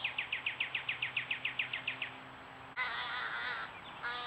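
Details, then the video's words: Young American Crows begging to be fed by parents at a pond in June 2023, caught on a trail camera: a quick run of high, falling chirps gives way to a harsh, nasal, drawn-out squall. "American Crows with their offspring making a lot of noise to be fed"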